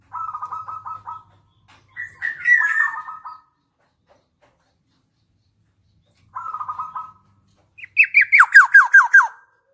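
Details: Buzzy rapid trills alternate with a slurred falling note from a black-naped oriole, then another trill, and finally a fast run of harsh notes that each drop in pitch. The surroundings are quiet.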